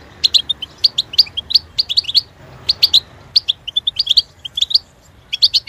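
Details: Clear European goldfinch song, crisp high chirps grouped in quick bouncy bursts with short pauses, one slightly buzzy note among them.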